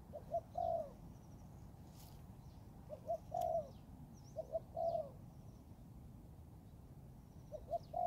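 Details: In the forest, a young Thai-line spotted dove in training repeats its phrase four times about every one and a half seconds: two quick soft notes, then a drawn-out low coo. Faint high chirps from other birds are heard.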